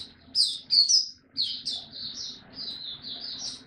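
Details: Caged mata puteh, a white-eye kept by a Singapore bird hobbyist, recorded 31 July 2023 as it begins singing again; a few loud piercing chirps followed by a run of quieter, rippling high notes.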